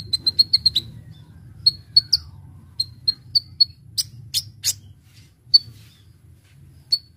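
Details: A Brown-throated sunbird, recorded for luring, gives a fast burst of thin, high whistled chips, then evenly spaced single sharp notes roughly every half second, broken by a few brief buzzy strokes.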